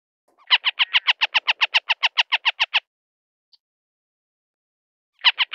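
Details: Northern harrier (Circus cyaneus) giving a quick string of about seventeen grating kek notes, then a silence of over two seconds before a second identical rapid series begins; clean, quiet background.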